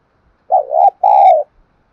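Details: Spotted dove kept as a caller to prompt wild birds to coo, delivering one two-note hooting coo with a wobbling opening note and a longer, fuller closing note in silence.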